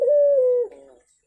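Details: A single long turtle dove coo, even in pitch and gently falling before it fades. It comes from a lure meant to make a dove that has stopped singing start calling.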